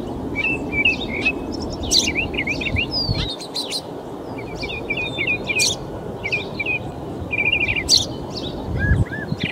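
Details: In a Folsom, California park in March, a Northern mockingbird runs through copied songs of other birds: quick chirped phrases, rising and falling slurs and brief buzzy bursts follow one another, with constant low-pitched rumble and wind-like noise underneath.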